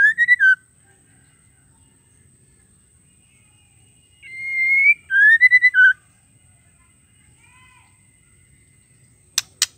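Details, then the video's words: Female white-rumped shama call for prompting males to sing: repeated phrases of a drawn-out whistle and quick slurred notes separated by silence, closing with a few sharp clicks. "PANCINGAN MURAI BETINA GACOR PALING AMPUH TERCEPAT BIKIN EMOSI MURAI"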